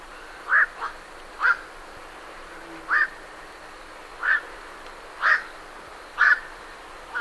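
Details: Night herons flying from the roost call with abrupt, rasping croaks, about seven of them spaced near one second apart, with a low hiss underneath.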